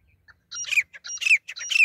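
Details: Grey francolin female call for luring birds during hunting. A few faint clicks lead into three loud, harsh, squawking phrases in quick succession, each ending in a sharp falling whistle, with short choppy notes between them.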